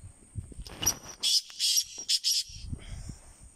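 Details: Black francolin delivering a loud grating phrase of several rasping syllables ending in a quick double note, with rustling and low thumping noises before and after.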